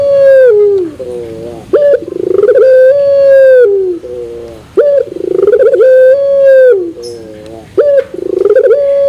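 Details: Repeated puter pelung coo of a turtle dove, described as metallic at the end. Four phrases come at steady intervals, each a stuttering pulsed start stretching into a long even tone that falls away.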